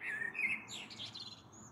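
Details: Evening song of a common blackbird, 21 April 2022, heard from a balcony ahead of a possible storm: a brief warbled fluty opening followed by a thin, scratchy high twitter, with soft background hiss.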